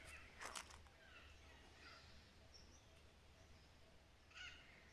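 Alexandrine parakeet giving harsh, grating screeches, a burst near the start and another near the end, over a low steady hum and outdoor background noise.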